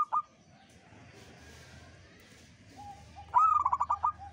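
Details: Local Indonesian zebra dove in the uraa umum song style, singing actively: a faint short note, a quiet pause, then a loud cooing phrase of rapid stuttering pulses near the end.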